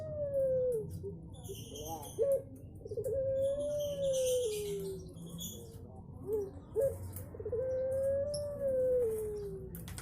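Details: Puter pelung Barbary dove giving melodious drawn-out coos: a sustained low tone sliding gently downward, repeated with pauses, short clucking notes in between, over continuous background noise.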